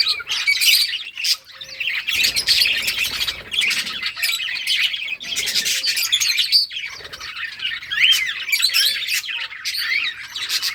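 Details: Colony of colourful caged budgerigars playing during the summer breeding season, recorded August 23, 2023: dense overlapping chatter of warbled chirps and squawks, continuous with brief dips, no other sounds.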